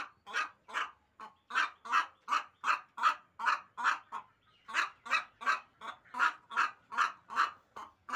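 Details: Long run of coarse, clipped squawks from a hen, about two to three per second, fairly even in loudness with a brief gap midway.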